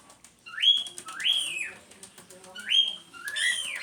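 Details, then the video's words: Cockatiel chattering, a pet bird that bobs its head and walks about; four rasping upslurred calls that each fall away at the end, spaced in pairs. "as calopsita fazendo barulho"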